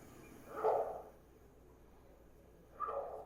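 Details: Green heron recording played from the Merlin app during a classroom talk gives two harsh, low, rasping croaks about two seconds apart over a faint room hum.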